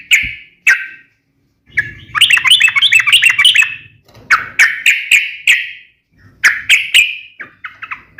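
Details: Sooty-headed bulbul fighting song meant to provoke other bulbuls into singing: short sharp notes, then a rapid jumbled chattering burst, followed by a run of clear descending notes, with a low hum beneath.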